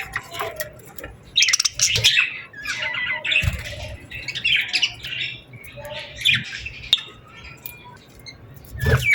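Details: Birds chirping at sunset on a summer evening: repeated bursts of harsh squawks and rapid chirps separated by brief lulls, with scattered thin whistled notes.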